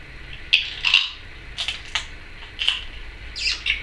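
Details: Pet female Timneh African grey parrot kept indoors, giving various sounds: about six short, harsh squawks and chirps at uneven intervals, some rising or falling sharply, over a faint low hum.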